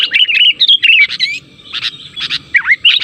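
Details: Sooty-headed bulbul calls played as a lure to draw answers from other bulbuls, in forest or at home. Quick bursts of bubbly, whistled chirps with short gaps, ending with a dipping then rising slurred note.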